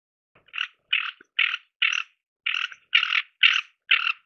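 A Ferruginous duck gives eight short, harsh, rasping notes at about two per second, each a grating 'kerr'; nothing else is heard.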